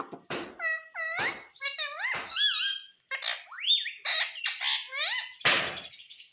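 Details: Indian ringneck parakeet, a pet talking bird in India that says mummy and papa, producing a continuous string of speech-like squawky syllables, rising and falling, with a few clicks, indoors.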